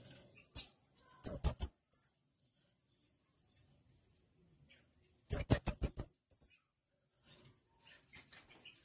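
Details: Sharp calls of a male blue-crowned hanging parrot calling companions, for tutoring captive birds: a lone high squeak, then a fast run of four thin shrill notes, a pause of several seconds, then another rapid string of about six piercing notes.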